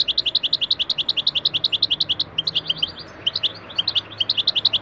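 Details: European goldfinch lesson song, 'taneli çipet, bol cibili' style for training: an almost continuous stream of quick high tinkling notes, about four per second, with a brief blurred phrase midway.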